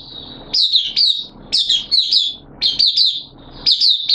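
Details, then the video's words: Caged oriental white-eye kept by a bird hobbyist, singing on 8 September 2022 with its form slightly dipped. High, sweet chirping phrases come in bursts about once a second, with short quiet gaps between them. "Mata Puteh Kitaro Buka Sing"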